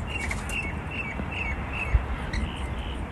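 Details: A pair of wild rainbow lorikeets on a balcony in Melbourne, Australia, gives short, shrill, repeated chirping screeches about every half second, with one brief thump partway through and low outdoor hum.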